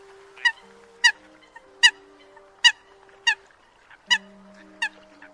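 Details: Eurasian coot calling the flock, a recording used as a lure for night net trapping: harsh, honking single notes repeated about every three quarters of a second over faint steady humming tones.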